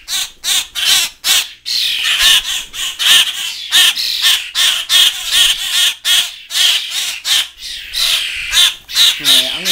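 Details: Hand-raised fledgling common grackles, kept in a cage with young starlings before release, beg loudly for food with a dense run of rasping, broadband squawks. The calls overlap in near-continuous chaotic bursts.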